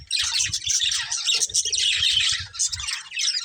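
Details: Continuous high, raspy budgerigar chatter from a breeding pair, rapid twittering notes packed together with faint low thumps beneath.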